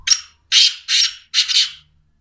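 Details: Kala teetar, the Black francolin, calling with a short rhythmic series of four hoarse, grating notes in about two seconds: one clipped note, then three longer rasping bursts, the final one stuttered. No other sound is heard.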